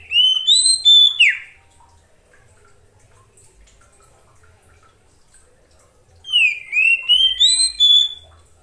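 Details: Oriental magpie-robin calling to other magpie-robins, sings two bursts of rich, varied whistled phrases, each about two seconds long, separated by a few seconds of quiet.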